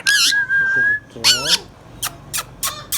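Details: Hand-tame green Indian ringneck parakeet at home: a loud squawk sliding into a long, even, thin whistle, a wavering harsh squawk, then four quick sharp clicks about a third of a second apart.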